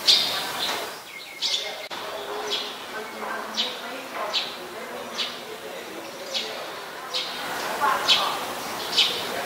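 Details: Eurasian tree sparrows in Ubon Ratchathani, Thailand, 10 May 2020, where the species is a very common resident. Bright, clipped chirps repeat roughly every second for about nine seconds, with a low, steady background hum beneath.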